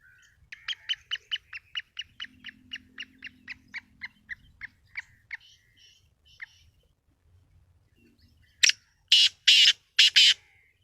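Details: Black francolin giving a loud, harsh, rasping call of four grating bursts near the end, preceded by a long run of quick, evenly spaced high chipping notes, about two per second, that gradually fade.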